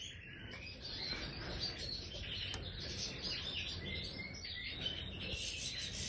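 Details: Major goldfinch singing in an aviary: a light, twittering run of high chirps and short whistled notes, partly blurred by a steady low background hum.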